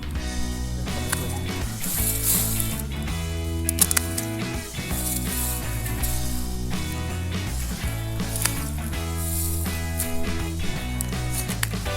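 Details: Steady instrumental music with a strong bass line and regular beats, with no animal calls audible.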